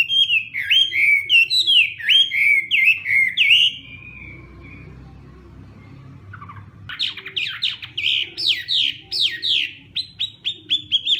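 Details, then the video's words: Hwamei in a morning training song, loud falling whistled phrases repeated rapidly for four seconds, a quiet pause with a short low whistle, then a fast cascade of sharp descending notes. "Hoạ Mi Hót Đấu /hoạ mi hót sáng luyện giọng"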